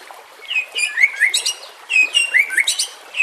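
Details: White-rumped shama singing for bird training: bright slurred whistles rising and dipping in two similar phrases, spaced by high sharp chips.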